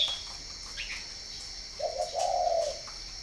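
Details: Low soft coo of a spotted dove at a bird-breeding garden in Ba Vì, northern Vietnam: a brief double note then a drawn-out throaty tone, with high chirps and a constant shrill hum in the background.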